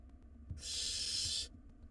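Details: Wild barn owl nestlings in a monitored nest box, fighting over a meal; one long breathy hiss, about one second, noisy and broadband with no tonal notes, over faint low camera hum.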